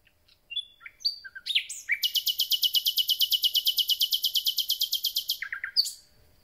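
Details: Common nightingale, newly back, starting its concert. A few varied whistles lead into a long, very fast, high trill of uniform notes lasting over three seconds, ending in lower chirps.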